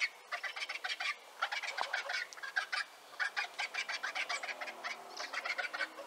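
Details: Griffon vulture (Gyps fulvus) giving a continuous harsh, cackling chatter of rapid broadband pulses in uneven bursts throughout, with short pauses between runs and no other clear sounds.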